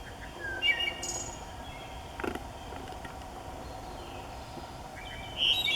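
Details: Wood thrush singing in a New Jersey forest, where the species nests after migrating from Central America: brief, fluty high phrases near the start and a brighter, louder trill-like phrase at the end, over steady forest hiss.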